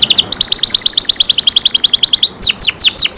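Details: Caged canary singing a rapid rolling trill of repeated high chirps, finishing with several sharp descending whistles.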